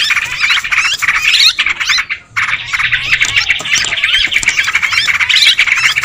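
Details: Sooty-headed bulbuls calling noisily in a lure recording, thick squawking and twittering chatter with one short pause near the middle, then more overlapping chirps and rising whistles.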